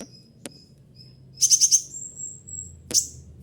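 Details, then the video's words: Captive konin (kolibri ninja) sunbird in mimicking song: thin high whistled tones, a fast burst of four buzzy trilled notes, then a sharp high chip, over a faint low hum. "konin dengan segala suara tembakan materi yang paling banyak disukai konin lain"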